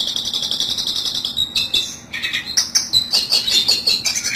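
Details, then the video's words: Long-tailed shrike trapping lure: dense, harsh chattering with high buzzy notes, shifting into quick squeaky phrases and repeated scratchy calls. "pikat burung cendet ampuh satu menit langsung dapat"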